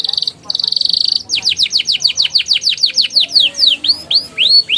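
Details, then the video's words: Energetic canary song used as therapy for young canaries that do not sing: a buzzy held trill, then a long even series of falling sweeps, ending in upswept whistles. "PANCINGAN KENARI PAUD NGERIWIK NGEROLL GACOR EMOSI EFEKTIF UNTUK TERAPI KENARI MACET BUNYI"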